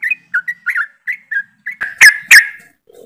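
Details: Yellow-vented bulbuls in a group (ombyokan), used as a lure to start birds singing. Soft bubbly whistled notes, then two loud, harsh, broadband chirps and a faint low buzz at the end.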